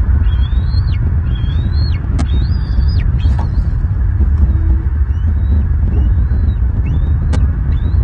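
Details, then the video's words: Young Bald Eagle E22 at a Southwest Florida nest, 30 March 2023, squees for sibling E21's return after fledging: thin, high, rising squealing notes, each under a second, about one per second, over steady low wind rumble. "E22 squees for E21's return"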